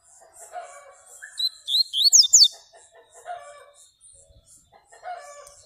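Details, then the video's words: Yellow-bellied seedeater (Baiano) singing a short phrase of rapid, high sweeping notes, rising and falling steeply, framed by quieter scattered chirps and soft low background sounds. "Baiano luxo especial"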